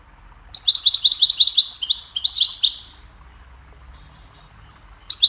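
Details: Goldfinch singing a cheerful melody meant for training songbirds: a quick, bright burst of high twittering and trilled notes lasting about two seconds, a pause in near silence, then another burst starting at the end.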